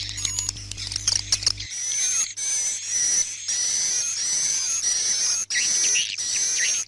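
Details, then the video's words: Night lure playback for a swiftlet house. Brief chattering at first, then a run of repeated high whistled sweeps with rasping edges, roughly one every half second, with a faint low hum. "Âm RU ĐÊM Cho Nhà Yến"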